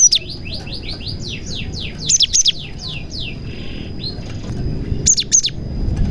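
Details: Cinereous tit song laced with imitated prenjak notes, meant to lure other tits; a rapid series of descending whistled slurs, then sharp doubled chirps, with a constant high tone in the background.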